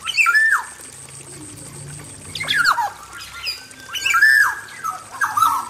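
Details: Caged male black-naped oriole in an aviary gives a descending fluted whistle, a quiet gap, then a run of slurred whistles and a long level note with harsh edges, over a constant high background hiss.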